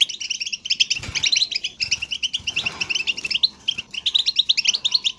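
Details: Goldfinch singing, meant to encourage another goldfinch to sing: continuous fast tinkling twitter of high, bright notes, with buzzy and liquid elements run together without pause.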